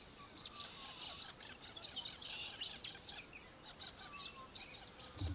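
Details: Australian hobby, also called Little Falcon, recorded in Victoria, Australia, in December 2023: a rapid run of short, high chattering notes at a steady pitch, with fainter thin bird notes lower in the background.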